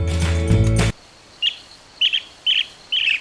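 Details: Blue-tailed bee-eater (Merops philippinus), Sri Lanka, giving four short, rolling trilled calls roughly half a second apart, one of them doubled; a burst of music comes first.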